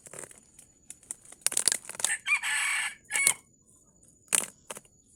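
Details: Wild red junglefowl in Sumatra, trapped using a decoy late in the fasting month; a close, loud, harsh crow in broken bursts, with a strained drawn-out middle part, among rustling and flapping noises.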